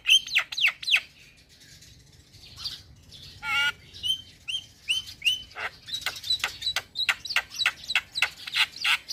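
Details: Young male black-winged myna singing in captivity: sharp clicking chips and high whistles, a short harsh burst midway, then rapid repeated squeaky notes climbing in tempo.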